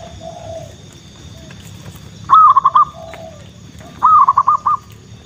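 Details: A zebra dove coos on a foggy morning near farmers' fields, in two bursts of rapid, stuttering, mid-pitched coo notes between soft lower coos, over a faint steady background hum.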